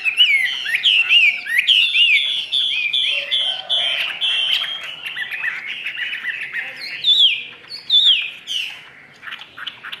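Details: A caged Chinese hwamei from Vietnam sings in the 'ngũ trường' style, tail fully spread. Rapid rising and falling whistled notes come first, then a sustained warbling stretch, then a few sharp upswept whistles that fade away.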